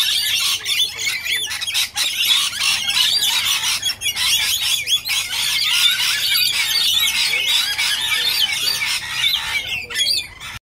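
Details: A crowd of rainbow lorikeets feeding at a restaurant on Tamborine Mountain, Gold Coast, Australia, 25 November 2016, keeps up a constant dense din of shrill, harsh screeches and chattering squeals, many birds calling over one another.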